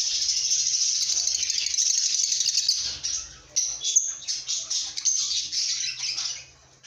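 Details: Lovebirds singing and chirping in a happy mood; a continuous shrill high chatter for three seconds, then a string of separate sharp chirps.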